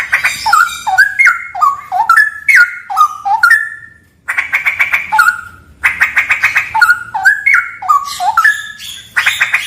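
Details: A straw-headed bulbul pours out rich warbled phrases in a haunted cave, with chains of stepped, rolling whistles alternating with harsh rapid chatters and one brief silent break midway.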